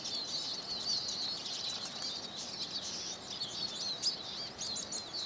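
Eurasian siskin giving a fast, unbroken twittering song of high chirps, trills and thin wheezy notes, with no clear pauses over several seconds.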